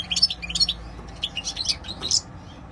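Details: European goldfinch giving a brief burst of high, bright chirps and twitters in a quick uneven sequence.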